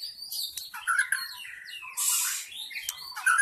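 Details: Forest white-rumped shama singing as lure audio for wild shamas: short whistled phrases and high scratchy notes, interrupted midway by a brief hissing noise burst.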